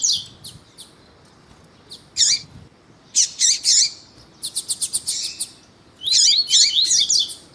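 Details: Lined seedeater female calling to warm up a male; sparse high chips build to grouped sharp notes, a quick run of clicks around the middle, and a closing burst of dense high twitters.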